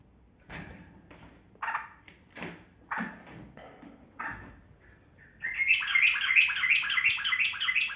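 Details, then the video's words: Yellow-vented bulbul in a 'ropel' rolling song used as a lure for silent birds; several harsh clattering knocks and rustles first, then a rapid, continuous bubbling run of liquid notes to the end. "Trucukan Kebo Gacor Ropel Panjang Pancingan Burung Buka Suara"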